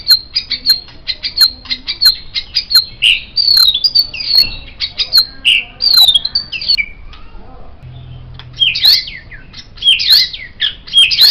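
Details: White-rumped shama, offered as a master recording for training songbirds, singing a busy stream of sharp clicks, rising whistles and harsh notes, mostly high-pitched, with a brief pause near the eighth second before the phrases resume.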